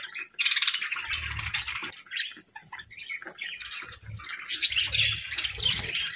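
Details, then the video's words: Pet parakeets warble in bursts of rapid, scratchy high chirps, pausing briefly between flurries, with soft low rumbling underneath. "Parakeets' Daily Routines"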